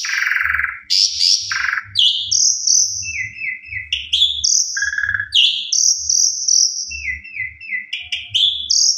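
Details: Black-collared Starling singing a varied, rapid medley of loud whistles, harsh chatters and short repeated trills, mostly high-pitched, over a faint low hum; a recording used as a lure to prompt other starlings to sing.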